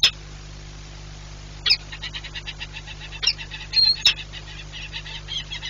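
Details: Peregrine falcons at a nest in Płock, Poland, 4 April 2022, the pair trading nest duty; soft, rapid chattering notes run through most of the clip, broken by a few louder sharp calls, with a low hum beneath.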